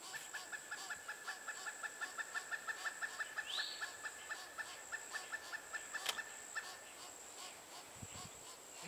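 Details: Pileated Woodpecker chick, female, still in the nest cavity at Chassahowitzka WMA though ready to fledge, with adults urging it out; a long run of about thirty quick repeated mid-pitched notes, a brief rising squeal, a sharp click, constant insect hum behind.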